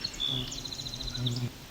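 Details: Near Cape Chin North, Ontario, 17 July 2019, a male Common Yellowthroat carrying a worm to feed young, unhappy at the observer's presence, gives a quick run of dry, high ticks, about eight in under a second, over a steady low hum.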